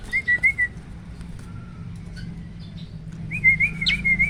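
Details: Hybrid starling, a cross between a black-winged starling and an Asian pied starling, singing as a vocal tutor in the 'roll tembak' style. Short wavering whistles open the phrase, then a quiet gap, then another warbled whistle run.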